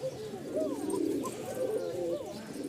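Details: Rajshahi Giribaz pigeons newly arrived from Rajshahi at a pigeon market in Mirpur-1, Bangladesh, giving a thin call; low soft coos repeat through the clip, with a few short rising notes and faint background chatter.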